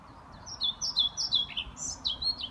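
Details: European pied flycatcher singing in Lindgårdsskogen woodland, Haga, Sundsvall, Sweden, 29 May 2018: a quick, high, sweet phrase of about a dozen clipped notes, some alternating up and down, ending in slurred rising-and-falling notes.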